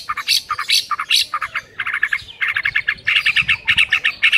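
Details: White-rumped shama, a morning lure for training a silent bird to sing, with dense rapid bursts of chattering, buzzy notes repeated several times a second, bright and high-pitched throughout.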